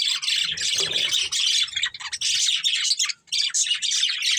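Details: Breeding pair of budgies kept as pets chirping in fast, raspy high chatter, with one brief gap near the end.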